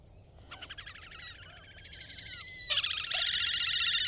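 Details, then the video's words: Horned grebe giving its advertising call and song: a loud nasal series of rapid harmonic notes, building into a dense, louder trilling chorus after a short pause, with faint low background rumble. "Horned grebe (Podiceps auritus) sound - call and song"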